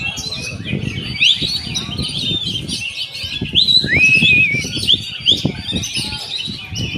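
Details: Oriental magpie-robin delivering loud rising whistles and looping slurred phrases among busy high chatter, with low thudding and rustling noise throughout.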